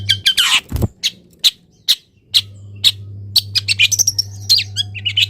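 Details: Long-tailed shrike in a cage, misted then placed in morning sun, delivering a harsh scratchy burst followed by spaced sharp chirps and a quicker run of varied whistled notes over a steady low hum.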